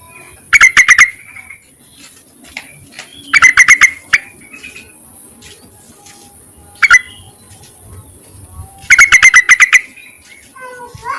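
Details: Male-calling Yellow-vented bulbul, played as a lure: repeated bursts of rapid, bubbly notes, each six to eight pulses long, about three seconds apart, with one lone sharp note between them.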